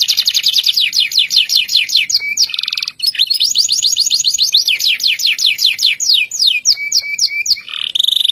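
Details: Local canary singing loud, long rolling trills, runs of rapid repeated notes at steady speed, shifting between trill types; described as a long roll that prompts other canaries to sing.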